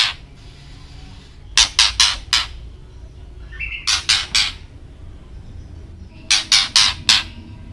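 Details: White-rumped shama giving agitating ketrekan calls; three bursts of four grating, buzzy notes spaced about two seconds apart, with a brief whistle before the middle burst.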